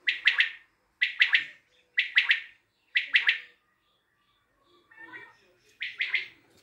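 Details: Common quail in Tajikistan calling four loud three-note phrases about a second apart, a short pause with a faint rustle, then one more triplet.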